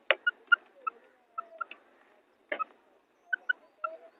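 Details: Female quail, its calling styled bedana sayrashi, gives short clear whistled notes in pairs and small clusters, each note steady in pitch, separated by brief pauses, with soft lower murmuring between groups.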